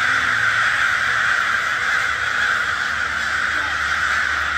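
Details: Very large gathering of crows, countless harsh caws merging into one unbroken, raspy din, with the sound of flapping wings in the background.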